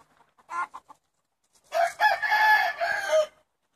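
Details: A cockerel among 70 chickens let out for the day in Longford, Ireland, on 25 February 2016: a few short clucks, a brief silence, then a loud, rough, harmonic crow of about a second and a half.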